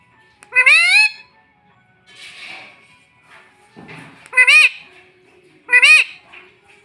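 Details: Pet baby Indian ringneck parrot known for saying "mummy": three loud harmonic arched calls, rising then dipping, separated by a few seconds of soft rustling and murmur indoors.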